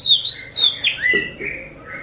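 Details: Oriental magpie-robin (kacer) song meant to draw replies from other magpie-robins: a few loud whistled notes at the start, followed by softer slurred downward phrases that fade out.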